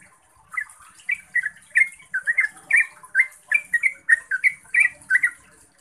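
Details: Yellow-vented bulbul, a clear, long song used to lure caged bulbuls into singing: a continuous stream of fluty, bubbling chirps, roughly three per second, each note slurred up and down, with a faint hiss behind.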